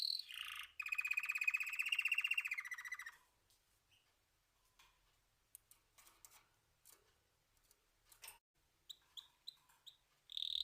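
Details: Canary singing: a loud, rapid buzzy trill held for about two seconds that dips slightly at its end, followed by quiet scattered clicks and chirps, then a short series of repeated whistled notes before another strong phrase.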